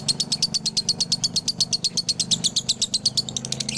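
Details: Male lovebird from Galendo, Ciamis, uttering its 'dobelan' song, recorded to train other lovebirds: evenly paced shrill chirps, around seven per second, forming a steady high trill over a low background hum.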